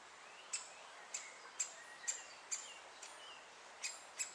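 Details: Great spotted woodpecker at Moat Farm while both parents feed a chick; sharp, high, clipped single notes repeated roughly every half second against a quiet rural background with faint other birdsong.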